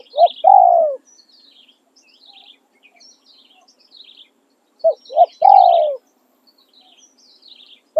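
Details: Spotted dove decoy giving the 'khan riak' and 'khan yon' song styles. Repeated three-part phrases of paired short coos and a long descending coo, about every five seconds, over steady high chirping of small birds.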